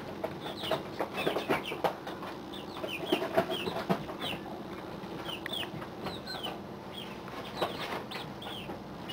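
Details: Chickens at day 40, a group of young chicks in a pallet brooder during their last week before moving to the coop, giving thin high downslurred peeps over steady background hiss and rustling.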